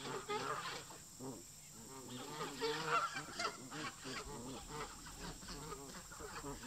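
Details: Local park geese fighting with migrating visitors; many honks overlap continuously, loud at the start and near the middle, then a steady crowded chorus.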